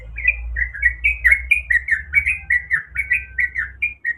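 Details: Calling female sooty-headed bulbul, in breeding condition and summoning a male, delivers a lively series of clear, bouncy whistled notes, each rising then falling, over a constant low hum.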